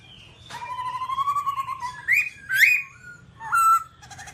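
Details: Babbler song opening with a long, slowly rising whistle, followed by sharp upslurred notes and a short level whistle after a brief gap.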